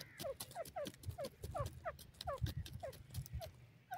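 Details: Grey francolin, known locally as Dakhni teetar or Indian francolin, calling at home in India: a steady run of short, downward-sliding notes repeated about three times a second, with low rumbling background noise beneath.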